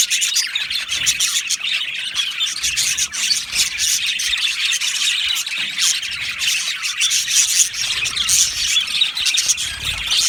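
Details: Budgerigars of an Australian budgie colony in an aviary, steady high-pitched chatter of squeaks, chirps and rasping twitters from many birds, without pause.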